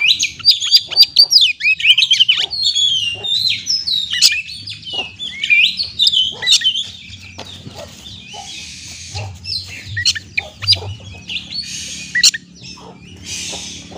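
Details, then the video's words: Kacer (Oriental magpie-robin) song played as a lure to make stressed birds sing: a lively run of whistles and chips for about seven seconds, then a quieter stretch broken by harsh, hissing rasps and low background hum. "Terapi kacer stres langsung gacor dengan pancingan suara burung kacer ini"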